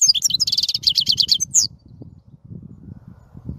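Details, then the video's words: European goldfinch singing: a quick run of high, twittering notes for about a second and a half, ending in a rising slurred note, then only a faint low rumble. "Красивое пение щегла. Singing goldfinch."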